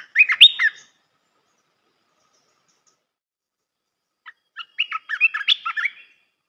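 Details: Red-whiskered bulbul song used for training young birds: two bursts of quick chirpy, warbled notes, a short phrase then a pause and a longer run of bubbly whistles.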